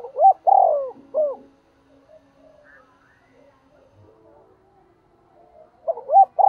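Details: Spotted dove kept as a decoy to stir other doves into cooing. Mellow hooted phrase: short notes, then a longer slurred coo and a clipped final note, opening the clip and returning at the end after near silence.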